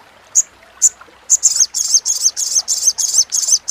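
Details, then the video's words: Sogok ontong, or Crimson sunbird, crecetan chattering used to tutor songbirds and prompt quiet birds: two isolated high ticks, then a fast run of harsh, buzzy high-pitched notes repeated about twice a second. "SUARA CRECETAN SOGON | PANCINGAN SOGON MACET BUNYI | MASTERAN CRECETAN SOGOK ONTONG SUARA JERNIH!!!"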